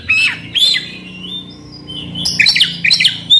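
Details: Oriental magpie-robin song played to provoke a silent bird into singing: loud whistled notes with harsh squawky edges, a short burst, a pause, then rapid high chattering phrases.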